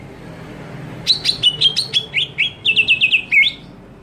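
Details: Greater green leafbird screaming to provoke other leafbirds: after a second of quiet comes a fast run of about fifteen sharp, high, slurred notes, some rising and some falling, ending abruptly with one lower downswept note.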